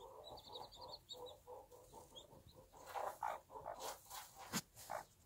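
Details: Bantam hen with her one-day-old chicks in a backyard farm: soft, rapid low clucks repeated in steady runs, mixed with faint high peeping and some louder scattered clucks later.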